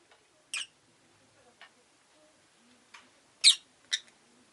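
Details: Scattered sharp, scratchy chirps from a pet rosy-faced lovebird, several seconds apart, with a quiet room background.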